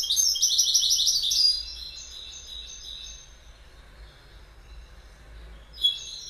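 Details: Goldfinch: about one and a half seconds of rapid, high jingling twitter, then near silence with faint background hum, and a single sharp chirp near the end.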